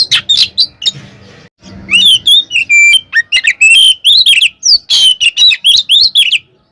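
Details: A white-rumped shama's provoking fighting song: after a brief chattering start and short pause, a quick run of clear whistled slurs and sharp chirps repeated several times per second, faint low hum early on.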